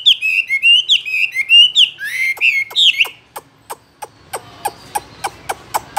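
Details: Chinese hwamei kept in a cage delivers three seconds of loud, slurred whistled phrases, followed by a series of dry clicks roughly every third of a second.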